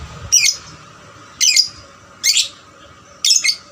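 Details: Young lovebird used as a singing lure for other lovebirds; four harsh, high, buzzy chirp bursts at about one-second intervals.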